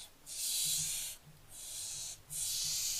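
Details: Young barn owls, 15 July 2024: three steady rasping hisses in quick succession, each close to a second long, with a faint low background hum.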